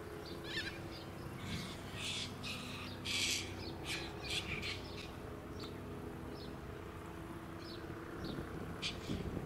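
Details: Little corellas, a flock in a suburban park at Queensland's Sunshine Coast in October 2017, giving bursts of grating, scratchy squawks, loudest midway, with other birds chirping and background traffic noise.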